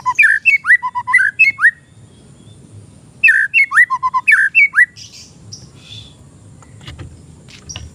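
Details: Oriental magpie-robin, an untrained young bird, its song used as a tutor or trigger recording for cage birds. Two bursts of loud, clear whistled notes, rising and falling and quickly repeated, separated by a pause. Faint low background hum and a few soft chirps follow.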